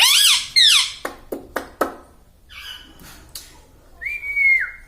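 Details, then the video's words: Pet green ring-neck parrot kept indoors, taught to talk and to say "mummy" and "papa": harmonic squawk notes, a few sharp clicks, then a long level whistle that slides down at the end. "talking mummy || papa bolta Mithu"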